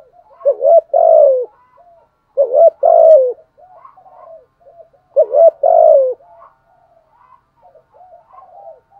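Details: Lure spotted dove calling to excite wild doves. Three deep two-part coo phrases spaced about two and a half seconds apart, separated by quieter scattered murmured notes.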